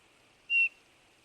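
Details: Single plain whistled note from a Eurasian bullfinch, level in pitch and just under a quarter second long, with faint hiss behind it.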